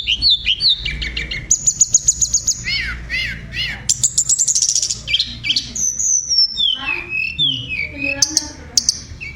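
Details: Tledekan delivering rich tutor song: bursts of downslurred whistles, dense rapid high trills and cascades of sweeping notes that fall in pitch.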